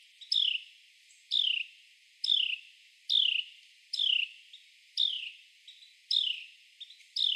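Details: A male Carolina wren clings to a tree trunk, feeding on insects, and calls with strong, high, down-slurred chirps at a steady pace of about one per second, eight notes in all, with faint short notes between.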